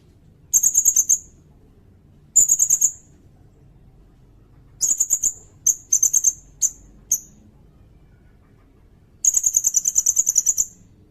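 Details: Sirindet song for tutoring competition songbirds and for luring: repeated bursts of rapid, high, ringing notes, some long trills and some short clusters of two to four notes, with brief silences between.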